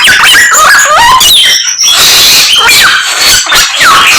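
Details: Chinese hwamei in full song, copying many other bird species; a dense, unbroken run of loud whistles, trills and sliding notes jumping between high and mid pitches.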